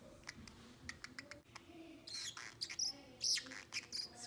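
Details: Pet 7-month-old male Pacific parrotlet that talks, giving soft clicks and ticks, then sharp, high chirps and squeaky bursts; faint household noise underneath.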